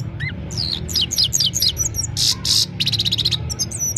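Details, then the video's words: Himalayan goldfinch singing in the evening, recorded on a mobile phone: rapid high twittering notes, buzzy trills and short down-slurred whistles, with a low steady hum underneath. "Gold finch simple singing this is really amazing bird song"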